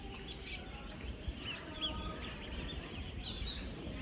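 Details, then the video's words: Thousands of 10-day-old ducklings, 16,000 together on a duck farm, moving, eating and drinking: dense overlapping high thin peeps over a steady low rumble, with a few brighter chirps standing out. "16,000 Ducklings Making AMAZING Sounds!"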